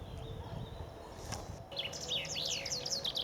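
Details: Common chaffinch singing in spring on the bank of the Ob River near Novosibirsk, Siberia, one of several birds in chorus. After quiet background, a bright descending trill of rapid repeated notes ends in a sharp flourish.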